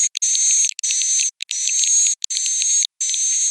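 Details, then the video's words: Roosting call of swiftlets: shrill buzzy twitters layered on a high, sustained whine, in four or five long bursts with short gaps between them. "Suara Inap Burung Walet"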